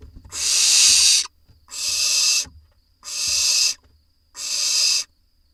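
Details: Barn owls in an Israeli nest box, filmed 4 July 2021 while the parents bring voles to the brood. Four drawn-out, breathy rasping hisses, each about a second long, are evenly spaced over quiet pauses.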